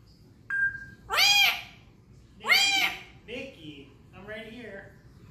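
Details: Pet African grey parrot laughing, then making a strange sound: a brief steady whistled note, two loud harmonic laugh-like bursts about a second apart, then two softer wavering calls, with a person talking nearby.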